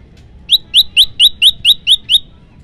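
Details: Series of eight crisp, rising, high-pitched whistles in regular rhythm from an olive-backed tailorbird, 'tembakan variasi' song style recorded as training and luring material; faint low noise behind.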